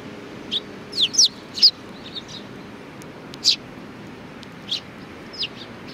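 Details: Sparrows at a shrine, 4 July 2019: a quick cluster of sharp descending chirps early, then isolated chirps spaced out afterward.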